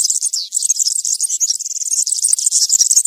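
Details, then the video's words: Country-style serin song for training juvenile birds during moult: a dense, unbroken, very high jingling twitter of fast glittering notes. "𝗥𝗘𝗖𝗟𝗔𝗠𝗢 𝗩𝗘𝗥𝗗𝗘𝗖𝗜𝗟𝗟𝗢 𝗖𝗛𝗔𝗠𝗔𝗥𝗜𝗡 𝗖𝗔𝗠𝗣𝗘𝗥𝗢. 𝗘𝗗𝗨𝗖𝗔𝗥 𝗬 𝗠𝗢𝗧𝗜𝗩𝗔𝗥 𝗩𝗘𝗥𝗗𝗘𝗖𝗜𝗟𝗟𝗢. 𝗖𝗔𝗡𝗧𝗢 𝗖𝗛𝗔𝗠𝗔𝗥𝗜𝗡 𝗘𝗡 𝗘𝗟 𝗕𝗢𝗦𝗤𝗨𝗘"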